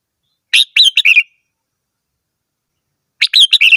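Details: Red-whiskered bulbul delivering two brisk song phrases, each a bright note followed by three fast, slightly falling chirps, separated by a long pause.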